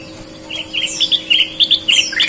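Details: Chattering Sooty-headed bulbul song, Indonesian red-eyed and white-eyed birds: quick bright chirps repeated several times a second, some sliding downward, with faint background hum.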